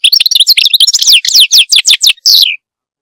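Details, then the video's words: Loud, continuous goldfinch song packed with tinkling twitters and repeated downward-sweeping whistled slurs, closing on a falling drawn note. "Goldfinch song"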